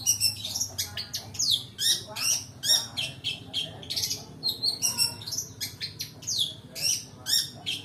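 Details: Long-tailed Shrike full fill-in lure song: rapid, jumbled chatter of buzzy, scratchy and whistled notes, about two or three per second, sustained and varied throughout.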